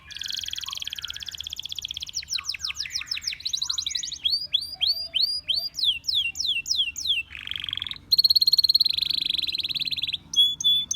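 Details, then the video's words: Canary singing a varied run of phrases: fast high rattling trills, sweeping rising and falling whistles, a lower buzzy roll, then a steady bright trill and short clipped notes near the end. "Canary Singing Bird Sounds"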